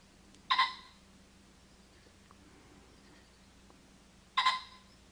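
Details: A tame wild male Common Pheasant on a ranch in July, squawking for about 20 minutes, gives two loud, harsh, ringing squawks about four seconds apart, each a brief explosive burst, over a faint steady hum; another rooster pheasant squawks far off.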